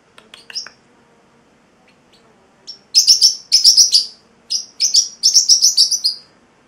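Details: Young male Celestial Parrotlet, eight weeks old, singing indoors: loud, rapid bursts of high buzzy chirps in tight clusters, a brief pause, then another fast chattering run, with a faint low hum in the room.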